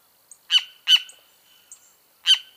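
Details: Three abrupt, harsh, buzzy notes from a great kiskadee, two close together and one after a gap, with faint thin high chirps between them in a quiet setting.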